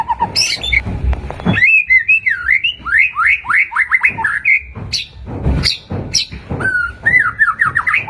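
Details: White-rumped shama song used as a lure for caged birds: varied quick upslurred and downslurred whistles in rapid succession, with a few sharp clicks and low background noise.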